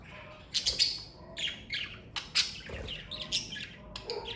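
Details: A pet parakeet family of budgerigars gives bright, sharp chirps and warbled squeaks in scattered bursts, several notes clustered closely with brief pauses between.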